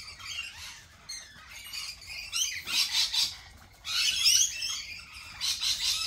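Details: Lorikeets in a cafe setting, with grating, high-pitched screeches and chattering notes that come in uneven waves, the loudest burst arriving past the midpoint.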